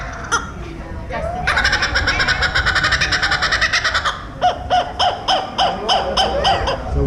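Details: A captive laughing kookaburra in SeaWorld's animal ambassador area, prompted to call, breaks into a loud, rapid, rolling chuckle, then a run of harsh hooked 'kook-ka' notes about three per second. A person speaks briefly at the start.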